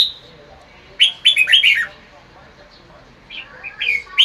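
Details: Red-whiskered bulbul sunbathing in the afternoon, delivering its bọng song style: a quick cluster of bright, warbling chirped notes, a pause, then more sliding whistled notes.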